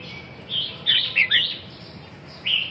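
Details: Red-whiskered bulbul singing a quick run of warbled, slurred whistles, several overlapping notes around one second, then a single clear whistle after a pause; steady low background hum.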